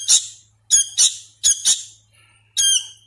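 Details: Hand-reared sooty-headed bulbul nestling, not yet able to sing properly, giving loud scratchy squeals, mostly doubled, roughly every second, with a soft continuous low hum underneath.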